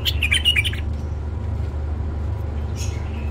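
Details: Tame male bulbul, shown for its plumage, gives a short, bubbly phrase of quick warbled notes within the first second. It then goes quiet apart from a faint note near the end, over a steady low hum.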